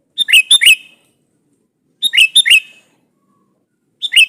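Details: Sooty-headed bulbul calling a rival to elicit a reply, singing energetically. Quick, rollicking three-note phrases come about every two seconds, clean and close.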